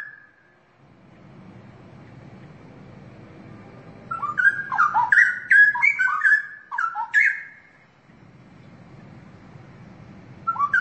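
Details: One short whistle, then a low background murmur before a straw-headed bulbul breaks into a burst of loud, gurgling whistled song lasting several seconds, followed by quiet and a final rising note.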